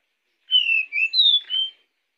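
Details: Pied bushchat singing to lure other birds: one brief phrase of four clear whistled notes, a falling slur, a short dip, then a higher bright note and a final steady whistle, in a clean quiet setting.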